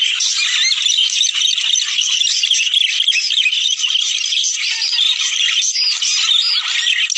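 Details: Several budgerigars chattering, a sound used to get males and females to mate: busy, high, rattling warble with squeaky notes, constant and dense from start to end.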